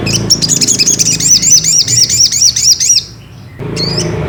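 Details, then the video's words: Fast Ruby-cheeked sunbird song used as a lure to make a rival sing: a three-second series of quick, high, swooping repeated notes, a brief silence, then a single high note. "bikin SOGOK ONTONG tambah EMOSI || PANCINGAN SOGON agar BUNYI"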